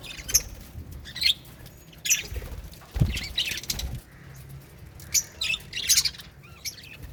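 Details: Budgerigars (Melopsittacus undulatus), parakeets, chirp in quick, scratchy bursts, with short sharp notes repeating every second or so.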